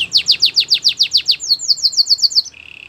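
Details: Belgian canary singing a training song: a rapid series of high downslurred trills repeated about seven times a second, shifting into a faster, flatter roll and ending in a soft, low buzzy trill.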